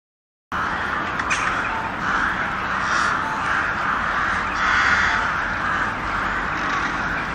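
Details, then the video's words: Natural crow sounds: a dense, continuous run of harsh, raspy cawing that overlaps without pauses, loud throughout after a brief silent start. "Crow birds crowing sound(Sound of Crows)Natural sounds of the crow birds"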